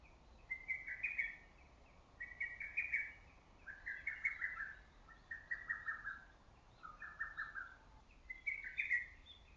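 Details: Loud lesser cuckoo in early-summer forest, its voice echoing; six rapid whistled phrases of chopped notes, the later ones dropping slightly lower before a final higher phrase, repeated about every one and a half seconds, with faint clicks behind.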